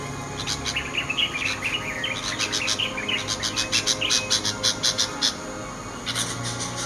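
Bulbul chicks give high, wavering chirps, then a quick run of sharp, repeated squeaks about three per second. A faint steady tone hums behind them.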